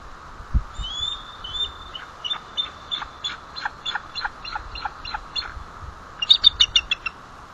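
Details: Adult female eagle giving alert calls at the nest with chicks at White Rock, April 25, 2012, 9:12 am. A series of sharp, high, staccato chittering notes, about three per second, ending in a quicker, louder burst.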